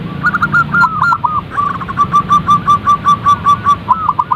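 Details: Perkutut, the zebra dove, in a recording meant to make birds sing: hooked whistled coos followed by a long, quick, evenly spaced run of short clipped notes.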